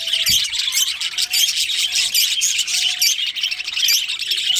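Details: Breeding pair of budgerigars in a colony: continuous squeaky twittering and scratchy calls from many birds, dense and unpatterned, over a faint constant tone.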